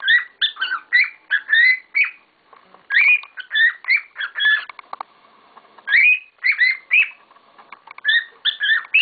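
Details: A group of household cockatiels calling vigorously: dense, repeated whistled chirps with upward swoops, delivered in three long noisy bursts with brief lulls.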